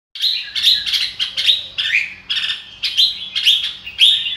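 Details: Red-whiskered bulbul song: bursts of bright whistled and warbled notes around the upper-middle range, delivered in quick phrases separated by short pauses, clear and loud with little background noise.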